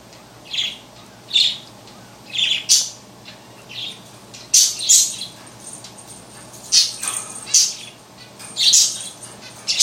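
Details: Pet bird tweeting and chirping while playing with a large plastic ball toy: short, bright chirps and tweets repeat every second or so over a steady, hissing indoor background noise.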